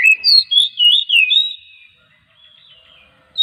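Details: Oriental magpie-robin song for stirring other magpie-robins into song: a brisk run of five twisting whistled notes within a second and a half, followed by quiet and a faint distant whistle.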